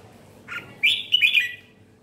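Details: Red-whiskered bulbul, known as chào mào, giving a short burst of its ché song style: a soft note, then a bright, bubbly warbled phrase of quick chirps over a steady low hum.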